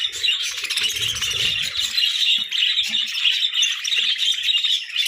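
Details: Parakeets chirping cheerfully while competing for food, giving a loud, unbroken wash of high trilling chatter and squeaks, with soft low knocks early on.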